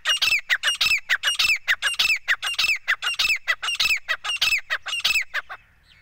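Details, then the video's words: Male grey francolin calling to the female: a loud, steady series of harsh, ringing notes, about two per second, each with a sharp rising-falling sweep, repeated a dozen times before stopping abruptly. "gora teeter ki boli"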